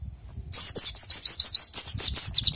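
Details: Pleci song for masteran training: after half a second of quiet, a continuous run of high, sweet, descending slurred notes repeated quickly, around a dozen in two seconds, loud and clear.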